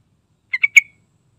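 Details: Yellow-vented bulbul song with three quick bubbly chirped notes that run into a short trailing whistle, over a silent background.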